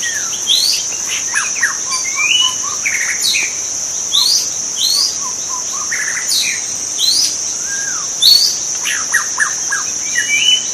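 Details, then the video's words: Wild white-rumped shama in its natural habitat singing a rich, varied song of clear whistles, slurred rising and falling notes and short rattling trills, delivered in quick bursts over a steady high-pitched insect drone. "kicau murai batu di alam liar"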